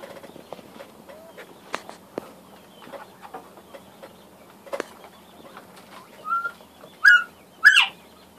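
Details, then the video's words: Northern bobwhite call near the end: a short level whistle followed by two loud, sharp, rising notes, preceded by scattered clicks and soft knocks. "Bobwhite bıldırcın"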